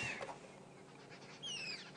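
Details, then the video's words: A fork-tailed drongo at sunrise on a July 2016 safari drive gives short, high whistled notes sliding downward, mimicking a little owl's call to get owls to reveal themselves so it can mob them; faint background noise. "Yes, it's a fork-tailed drongo. So they mimic the owls to beat them up."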